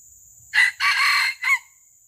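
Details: Junglefowl crowing while being lured for live capture by traditional, non-violent trapping: a brief, raspy three-part crow of short note, longer drawn middle and clipped final note, over a constant shrill insect chorus.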